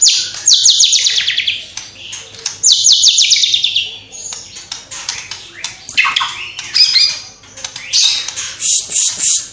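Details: White-rumped shama song with borrowed house sparrow, fighting lovebird, kapas tembak and cililin calls. Two rapid cascades of descending high notes come first, then a loose string of varied chirps and whistles.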